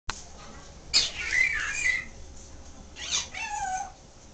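A Timneh African grey chatters with a sharp click, then bending, whistled squeaks and a short run of falling, babyish notes.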